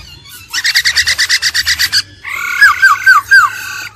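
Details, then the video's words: Laughingthrush song from an old wild-caught bird, with a female trilling: a rapid run of about fifteen pulsed notes, then a short pause and a series of bright, slurred, downward-curving whistles. "GIỌNG KHƯỚU già rừng, kích bổi căng lửa, khướu mái ro ro"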